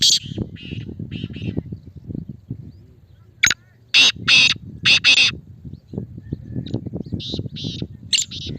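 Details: Male black francolin calling: after quieter scattered notes, a loud burst of harsh, grating notes in a quick group of four or five, with a low continuous murmur and chatter running underneath.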